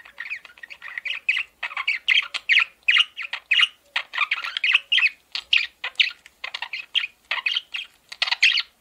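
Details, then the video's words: Male parakeet kept as a pet, giving a steady run of short, harsh chirps and squawky notes, about two or three per second, a continuous chattering warble. "MALE PARAKEET SOUNDS"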